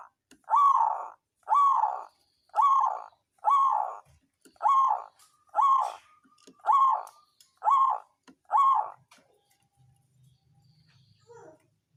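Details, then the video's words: Songgo ratu local zebra dove, a lure sound meant to raise rivals' excitement and stir silent birds to sing: nine loud, even rolling coos, one roughly every second, then a faint low hum. "Perkutut lokal songgo ratu suara pancingan naikan birahi lawan ampuh buat terapi burung malas bunyi"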